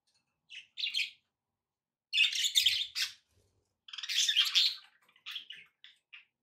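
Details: Budgerigar kept as a pet, chirping in short bursts of scratchy, squeaky warbles separated by brief pauses, ending with a few single tweets.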